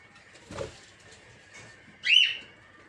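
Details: Aviary peach-faced lovebirds kept for breeding, of several colour varieties: a brief soft rasp, then one loud, ringing, arched squeak.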